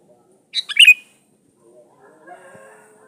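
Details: A sooty-headed bulbul, lively and singing freely, gives a lure song meant to call in rivals. One brisk phrase of several rich, gurgling notes ending in a clear whistle, then only faint low rustling.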